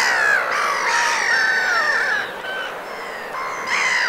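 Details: Black-headed Gulls in winter moult in the Vilaine estuary, Morbihan, France, on 22 February 2022, give harsh, overlapping screeching calls, several birds at once, with brief dips and rising, drawn-out notes in a steady chatter.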